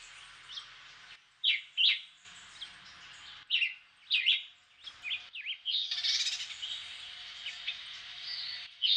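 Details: Black-whiskered vireo, known in Puerto Rico as Julián chiví, a migrant that returns there each February to breed, singing short slurred whistled phrases with pauses between them, followed by a denser burst of overlapping chirpy notes near the end.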